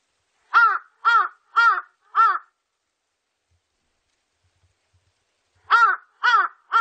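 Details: Large-billed crow calling: a burst of four harsh, arched caws about half a second apart, a pause of three seconds, then three more caws in the same quick rhythm, clean and free of background noise.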